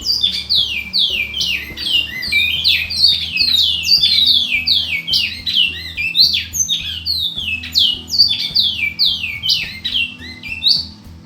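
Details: Bicudo, the Large-billed Seed-Finch, in a long sustained song: dense run of sweet downslurred whistles, about two or three a second, with brief pauses, over a faint low humming background.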